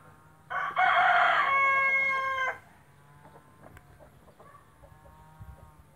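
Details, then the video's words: White splash Brahma rooster crowing: one loud harmonic crow lasting about two seconds, a strong opening burst that holds steady and then ends abruptly, followed by quiet background with faint distant clucks and a low hum. "white splash brahma rooster crowning"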